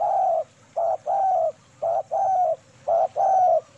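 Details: Female spotted dove singing in the KUK 2 manggung style, used as a lure call: low, mellow cooing in three phrases, each a short coo followed by a longer drawn-out coo, repeating about once a second in a quiet setting.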